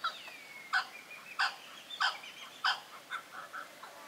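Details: Blue-winged kookaburra in the Kakadu and Arnhem Land woodlands of northern Australia gives harsh, raucous, angry-sounding cackling squawks about every two-thirds of a second, softening toward the end; a thin falling whistle sounds faintly at the start.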